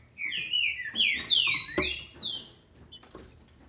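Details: Female green-winged saltator kept in captivity in Brazil, singing to excite males: a rapid, tumbling phrase of bright whistles that slide down and step higher, ending in softer clicks.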